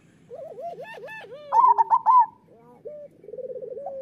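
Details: Zebra dove song from a recording meant to stimulate lazy local doves to sing; wavering coos, a loud burst of rapid bubbling notes, then a short trilled coo.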